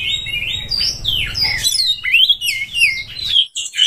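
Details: Oriental magpie-robin in breeding condition, song meant to provoke rivals: continuous rich warble of sliding whistled phrases rising and falling, with a faint low hum underneath.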